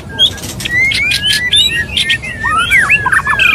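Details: Male white-rumped shama wooing a female: long clear whistles rising and falling, then a rapid swooping whistle and short chipping notes, with a few dry clicks early on.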